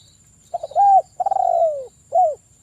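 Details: Spotted dove song played as a lure to get other doves singing: a short stuttered start, then a clear mellow coo, a long drawn-out descending coo, and a final short rounded coo, with a faint steady high hum behind.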